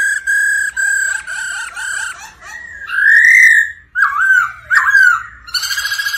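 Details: Black-throated laughingthrush singing and dancing, stimulated by a female's rolling 'ro ro' call: loud whistled phrases near one pitch, repeated about every half second, then rising slurred notes and rapid buzzy ends.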